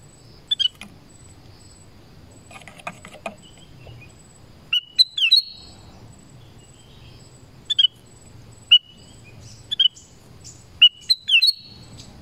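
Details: Forest recording of a Black-crested bulbul: scattered short whistled notes and rising-falling chirps, fairly soft, with faint high insect-like buzzing and a low background hum.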